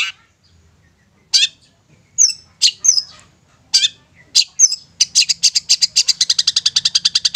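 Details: Long-tailed shrike (cendet) lure song, played to make silent, lazy or sulking shrikes sing hard and excitedly: scattered harsh, scratchy high notes give way after five seconds to a rapid, even train of buzzy notes, about five each second.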